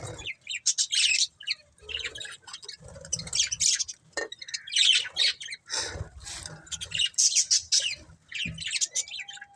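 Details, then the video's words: Budgerigars chirping in rapid, buzzy, high-pitched bursts of chatter that come in uneven waves, with short quiet gaps between groups of notes. "Cute Budgies Chirping Sounds"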